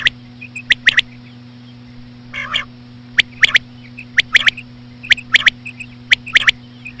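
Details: Female common quail calling slowly to draw quail: bright triple-note bursts at about one-second intervals, light chirps between, a short buzzy harmonic call early on, over a steady low drone.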